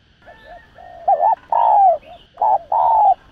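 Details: Vietnamese spotted dove 'thúc gù' coo used to lure doves for trapping; quiet wavering lead-in notes, then two loud phrases, each a short rolling note followed by a longer falling coo.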